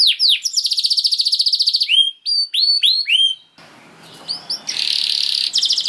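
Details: Canary singing a long 'gacor' song: a swift rattling roll, several hooked whistled notes, a short gap with faint hiss, then another quick buzzy trill.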